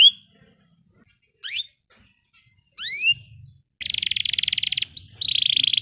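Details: Canary song from a recording meant to coax rarely singing canaries into rolling: scattered rising whistles with pauses, then two bursts of dense buzzy trill, with a faint low rumble between notes.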